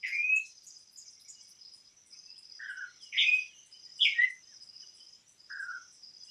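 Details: Campo troupial singing a few rich, slurred whistled notes, some rising and some falling, separated by short pauses, over a steady high buzzing of insects.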